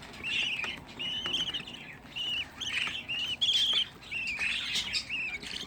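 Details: A crowd of sixteen budgerigar chicks raised at home, giving separate short, nasal rasping calls in quick series, one louder sharp squawk standing out, with quiet murmuring between.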